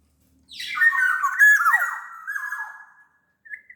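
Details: Kepodang sumbawa, a big-bodied black-naped oriole, giving a long fluty phrase: a harsh rising start, then sustained whistles with a sharp downward swoop and a trailing slurred tail, followed by a short note.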